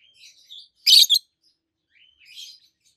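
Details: A chirping pair of adult peach-faced lovebirds, one red-faced and one white-faced: soft twittering, then two loud grating shrieks in quick succession, followed by more soft chatter.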